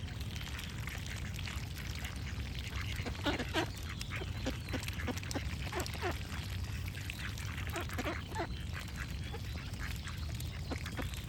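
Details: Ducks quacking in short, harsh, repeated bursts, several in quick runs, over a steady low rumble of flowing water with faint bird calls in the background.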